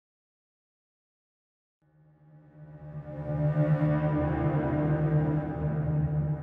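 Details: Silence for nearly two seconds, then a swelling ambient music drone of layered, sustained low tones and shimmering overtones that grows steadily louder to the end.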